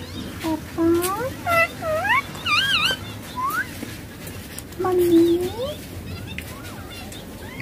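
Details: Ringneck parakeet talking while it plays on a mobile phone: a string of wavering, zigzag, harmonic syllables, then a pause and a long low note rising at its end, with a low background hum.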